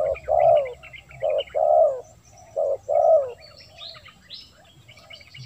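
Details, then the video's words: Spotted dove cooing meant to attract wild doves: three pairs of deep, hollow coos in the first three seconds, then quiet with scattered high chirps and whistles of other small birds. "Suara Terkukur//Untuk Memancing Burung Terkukur"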